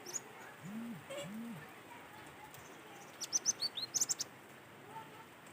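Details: Cinereous tit singing, natural recording meant to prompt other tits to sing. A rapid run of high, thin, clipped notes comes late. Before it are two low arched hoots from another bird, over steady background hiss.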